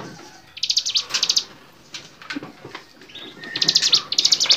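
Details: Training recording of a lively bar-winged prinia: short bursts of rapid, buzzy chipping notes separated by quiet gaps, ending in denser repeated trills, over a faint hiss.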